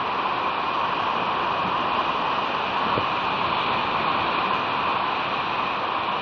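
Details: Steady loud rushing noise with a constant hum, heard at West End on Catalina on 21 February 2018, with no animal voice present.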